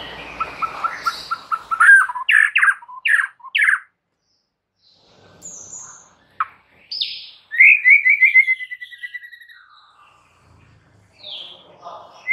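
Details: White-rumped shama singing, used to coax a quiet bird into song: a rapid ascending series of sharp whistled notes, then a pause, scattered high calls and a long fast descending trill, with softer phrases at the end.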